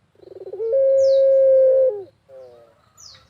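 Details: Single barbary dove coo from the countryside, a lure for other doves: a pulsing stuttered onset building into a long steady tone that drops away, then a softer lower hoot; two quick high descending bird chirps.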